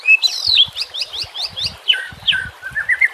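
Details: Shama song meant to train or lure other shamas: a rising whistle, then a quick run of bright chirps, falling slurs and a soft rolling finish, over nature sounds and water, with low thuds.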